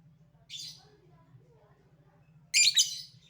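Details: Lovebird calling as a lure for other lovebirds: a faint short screech followed two seconds later by a loud, harsh, chattering burst, over a low steady hum.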